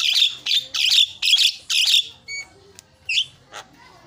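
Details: Javan myna lure song for prompting mynas to sing: five loud, shrill, screechy bursts about half a second apart, then a thin whistle and a couple of sharp squeaks.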